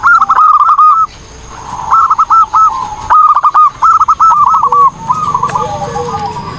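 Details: Lively song of a zebra dove, known locally as perkutut, meant as a tutor recording for training birds: five bursts of rapid, tremulous cooing notes about a second apart, the last one softer and trailing off.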